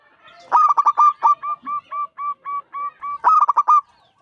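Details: Five-year-old local zebra dove with a big voice, used to draw other doves into singing: a quick stuttered burst of coos, then a steady run of about nine even, soft coos, ending with another rapid clipped burst.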